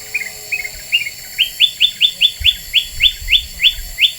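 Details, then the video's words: Very vocal Black-winged bulbul used as a lure sound: a few lower twittered notes, then a steady string of about ten sharp, rising-and-falling chirps repeated roughly every quarter second. "Suara Pikat Kutilang Emas Super Gacor,,Bikin Burung Lain Pada Emosi"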